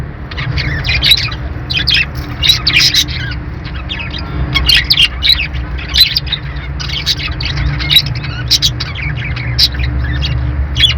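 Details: Budgerigars, possibly kept with lovebirds, fill the air with dense, continuous high chirps, squeaks and warbling twitters. The calls overlap from many birds, over a steady low rumble and a faint constant tone.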